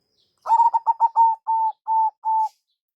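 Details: Single phrase from a local zebra dove lure recording: a fast burst of short choppy coos followed by three longer, evenly spaced level notes, clean background.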